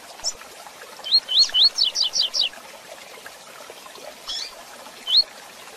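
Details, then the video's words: A caged double-collared seedeater sings in the rapid tui-tui zel-zel style, used for training young birds: high, thin slurred notes, then a quick run of about six sharp buzzy notes, with a few scattered phrases after. "Coleiro Tui Tui Zel Zel Rápido"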